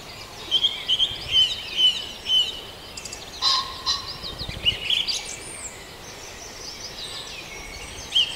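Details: Farndale dawn chorus with several birds: a run of sweet repeated whistled notes, a sudden louder broadband burst midway, then mixed chirping and thin high whistles continuing.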